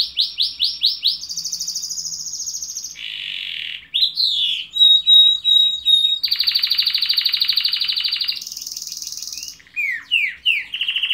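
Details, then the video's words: Canary song made of changing tours: fast rolled trills, buzzy stretches, pure steady whistles and short downslurred notes, each section shifting abruptly to the next, loud and clear. "chant de canari magnifique تغريد طائر كناري رائع"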